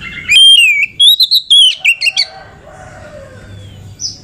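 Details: Oriental magpie-robin, a female kacer lure for exciting males: clear whistled notes, a long level whistle then a rapid series of slurred, up-and-down syllables, fading into quiet background after two seconds.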